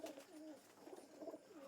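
A pigeon gives low, soft, rolling coos that swell and fade in quick succession.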